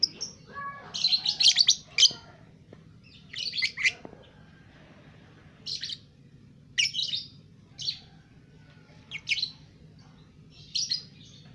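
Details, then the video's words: Two-month-old lovebird doing ngekek, a long chattering song: dense bursts of harsh, high chatter come first, then shorter scratchy phrases repeat roughly every one to one and a half seconds over a low steady background hum. "Love Bird umur 2 Bulan Sudah Ngekek"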